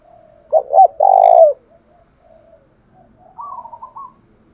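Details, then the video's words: Spotted dove, thổ pha style song for rousing a new captive dove. One loud low phrase of two short notes and a long throbbing coo, followed by a softer, higher, stuttering series of notes. "cu gáy giọng thổ pha/ cu gay kich boi nhanh noi gù"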